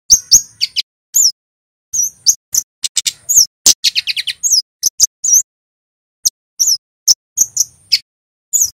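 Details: Scarlet-headed Flowerpecker (kemade), a Javanese male: lively, uneven bursts of sharp high chips, quick trilled clicks and thin slurred whistles, thinning out to sparse single ticks toward the end.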